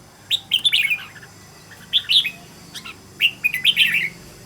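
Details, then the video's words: Red-whiskered bulbul singing as a training model: three clear warbled phrases, each a quick string of rising and falling sweet notes, spaced about a second and a half apart over a soft background hum. "Cách luyện chào mào mồi - Hót hay nhanh lửa, Căng"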